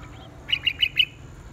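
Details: Red-whiskered bulbul in a morning singing contest gives four quick, bright, evenly spaced whistled notes in under a second.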